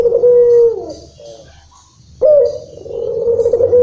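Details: A local Barbary dove singing in long rhythm: the end of a low, steady coo fades out, a short quiet follows, then a new coo bursts in and carries on, deep and even.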